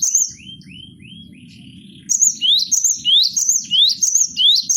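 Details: Cinereous tit, locally gelatik batu, singing in a 'bongkar isian' style used for training cage birds. A short run of upslurred whistles gives way to loud, rapid rising-then-trilled phrases repeated about once per second, with a low hum underneath.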